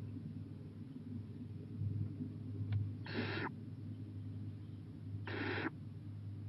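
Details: Owl at night, 11:26 pm, 23 April 2018, venturing onto the porch; two drawn-out raspy hisses about two seconds apart over a constant low electrical hum.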